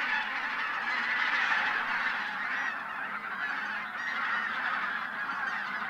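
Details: Troop of just over 1,000 wild geese, bean and white-fronted geese wintering from Siberian breeding grounds, taking off before sunrise at Teichland Linum, Brandenburg, Germany, then landing again at once; dense unbroken chorus of overlapping honks and cackles throughout.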